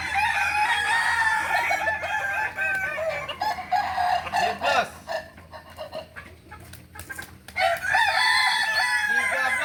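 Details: Kukuak Balenggek roosters crowing at a practice contest in Ampang Kualo, Solok, May 2024. Dense, overlapping crows fill the start and end, with a quieter stretch of clucks and clicks in the middle.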